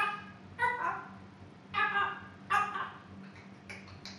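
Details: Talking African grey parrot kept as a pet, a female close to two years old: four short, harmonic, speech-like bursts spaced about a second apart, the last one higher and thinner, over a constant low hum.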